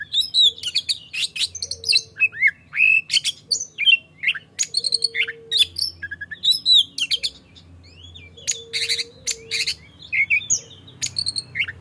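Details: Caged oriental magpie-robin singing in the morning, played as a lure to get other magpie-robins singing: loud varied whistles, rising and falling notes and sharp chirps in rapid bursts, with a low steady hum underneath.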